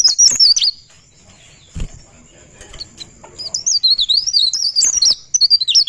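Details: Singing pare pare bird giving its rolling 'ngerol' song, with a brief high warbled burst and a quiet stretch, then a longer run of rapid, twisting high whistled notes.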